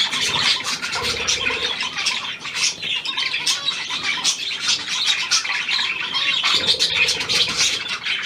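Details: Hand-tame Australian pied budgerigar, newly acquired, recorded 17 February 2023, giving a steady stream of harsh chirps and warbled squawks, rapid and overlapping, with a brief low hum in the background.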